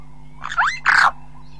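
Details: Burchell's starling calling close up: a rising, slurred harsh note quickly followed by a louder, buzzy, rasping burst, with a steady low hum underneath.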